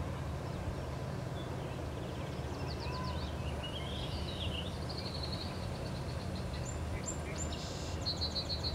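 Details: Tree swallows in spring at a site with nesting boxes give faint, high liquid chirps and twitters, some in quick bursts, over a steady low rumble of wind or distant traffic.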